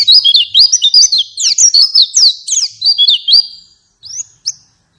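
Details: Pet-keeping lure recording of white-eye song meant to prompt a caged bird to sing: a fast, loud chatter of high sliding whistled notes for over three seconds, then a pause and two short thin chirps.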